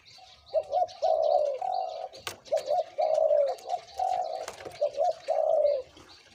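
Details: {'caption': "Caged Spotted Dove decoy bird, aged two to three years, giving a deep 'big voice' cooing song. Low purring coos run in repeated phrases of short stutters and a longer drawn note, about every one and a half seconds. Thin high chirps from small birds sound behind."}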